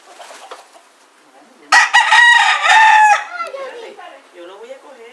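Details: Rooster near a cockfight in Puerto Rico in winter 2014, one of two conflicting roosters yelling at each other: a loud, harsh crow lasting about a second and a half after quiet murmuring, then fading harmonic tails.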